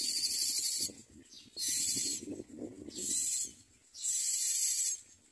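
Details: Common myna chicks being fed in the nest by their parents give four harsh, hissing begging rasps, each about a second long, with short pauses between them over a faint low murmur.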